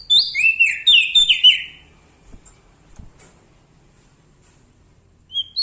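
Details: Bar-winged prinia, a lively singer, with a loud clear song: a quick cascade of high whistled notes sliding downward over about two seconds, a quiet pause, then a new phrase starting at the very end.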